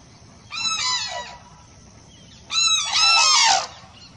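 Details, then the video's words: Two loud, harsh, trumpeting crane calls, each about a second long, with a brief quiet gap between them and a faint low hum throughout. "សំលេងសត្វគ្រៀល Cranes Sounds"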